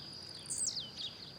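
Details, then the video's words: Singing blue-black grassquit, free in nature while hopping: a single quick, high-pitched downward-swooping note, followed by a softer echo-like trace, against a steady insect whine. "Tiziu Cantando Na Natureza"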